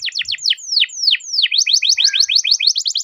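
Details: Canary singing a long rolling song used to stimulate other canaries: a series of rapid descending swept notes, slowing then speeding into a fast even trill of high rising-falling notes repeated several times per second, clean with no background sounds.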